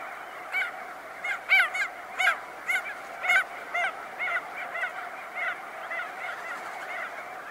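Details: Crested auklets, close up, emerging from burrows in a colony, give nasal honking calls in a steady series, about two per second, with wingbeats, over a constant hum of many birds calling.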